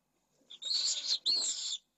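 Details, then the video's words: Pallid swift at a breeding colony in a school building in Jerez de la Frontera, Spain, during stifling heat above 45 degrees, where a chick was thrown from a nest. Two harsh, buzzy, high screams follow each other, the second after a brief gap. "Vencejo pálido"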